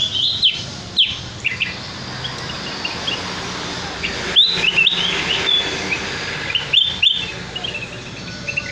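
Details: Sooty-headed bulbul calling as a bird lure: sharp downward-slurred chirps early on, then a cluster of quick warbling whistles midway and more bright notes near the end, against a steady hiss and faint hum.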